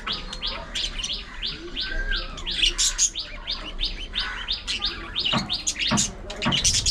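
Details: Budgerigars chirping in an aviary colony, a busy stream of rapid high tweets and chattering, with a few low thumps near the end.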